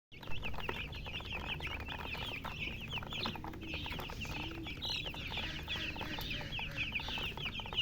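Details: Baby chicks chirping, rapid high peeps in quick overlapping runs, several birds at once, with some low clucking and rustling beneath.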